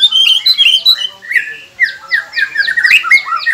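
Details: White-rumped shama song used to get quiet captive birds singing: dense, loud burst of whistled and squeaky notes, with repeated downslurred high phrases in quick succession.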